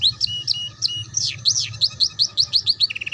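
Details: Ngeriwik-style canary song used to tutor young canaries. Short high chirps alternate with lower flat whistles, then a swooping note and an evenly spaced run of sharp sliding chirps end in a quick trill.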